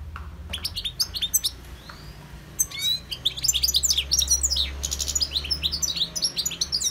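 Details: Wild European goldfinch singing: rapid, liquid twittering of bright chirps and short buzzy trills, with a pause near two seconds before the song resumes densely; faint low rumble underneath.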